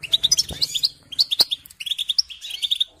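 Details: European goldfinch singing to teach young birds, a short burst of bright, liquid twittered notes and chirps in quick succession, broken by two sharp clicks.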